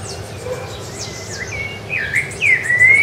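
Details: Rufous-bellied thrush (sabiá-laranjeira) singing on Ilha do Governador in January 2013: clear whistled phrases, some level and some swooping up and down, growing louder toward the end. Faint high chirps from other birds sound behind them.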